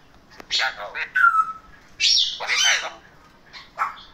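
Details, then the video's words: Male parrots talking: short raspy speech-like syllables, a clear whistled note, then louder chattering phrases and a final squawk. "Raw males Talking"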